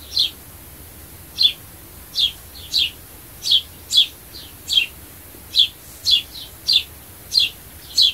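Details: Sparrow chirping, offered as a sound to attract birds: short bright chirps, often doubled, repeated at an uneven pace of roughly two per second over eight seconds, against a quiet background.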